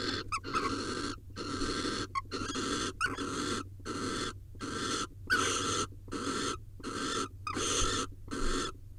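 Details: Barn owls mating at a nest watched by a nest camera in Israel, 2021: harsh, breathy hissing screeches, each about half a second, repeated steadily around a dozen times with short silent gaps.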